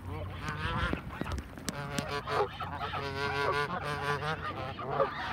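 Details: Flock of Canada geese being fed, giving steady nasal honks with clear harmonic tone, several birds overlapping, the calls drawn out and repeated throughout with occasional sharp clicks.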